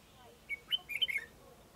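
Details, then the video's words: Red-whiskered bulbul, part of a male-female pair being trained to work as decoy birds, the male still untamed. A brisk whistled phrase: a single lead note, then a bright cluster of four or five rapid liquid notes, with faint background hiss. "Thử Tập Cho Đôi Chào Mào Trống Mái Làm Chim Mồi"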